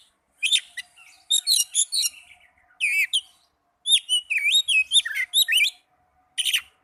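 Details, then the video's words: Oriental magpie-robin song used to stir up caged birds that sing little and as tutoring material; stuttered trills and curling whistled notes in clustered bursts, with a faint steady hum beneath. "Pancingan burung kacer agar cepat gacor"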